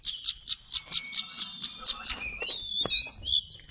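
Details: Seychelles magpie-robin (Copsychus sechellarum), endangered bird of the granitic Seychelles, used as a trapping decoy, November 2016, sings a fast run of about ten high, sharp notes, four per second, then slurred rising and falling whistles.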